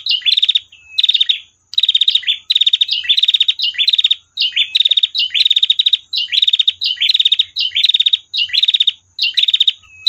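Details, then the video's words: Female prinia giving a long trilled song: rapid buzzy pulsed phrases repeated in quick succession, each a dense series of clicking notes with short downward slurs, almost continuous with brief gaps. "masteran prenjak betina tir panjang"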